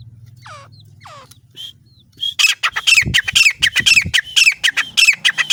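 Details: Female grey francolin call from Layyah, Pakistan, used as a lure for hunting. A few soft descending notes are followed by a loud, harsh, rapidly repeated chattering series of high calls.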